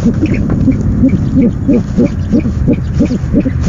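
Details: Night-time owl nest camera, 17 February 2015, first delivery of the night: low, brief rising-and-falling notes repeated roughly three times per second in a loose rhythm against steady background rumble.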